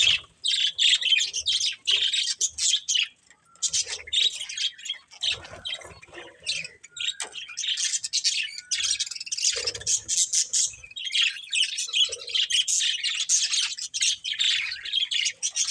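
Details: Pet budgerigars at play, chirping continuously: dense, high, scratchy twitters and squeaky notes tumble over one another with only brief pauses, the chatter of several birds together.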